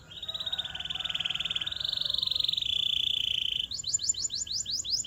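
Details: Canary training song for prompting other canaries to sing: a long, steady, rolling trill of very rapid notes that shifts slightly in pitch, then broken into sharp rising chips.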